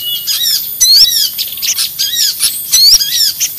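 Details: Noisy lure call used to attract small birds and other birds: a dense, busy mix of very high chirps, squeaky whistles and short down-slurred notes, repeating in quick, overlapping bursts without pause.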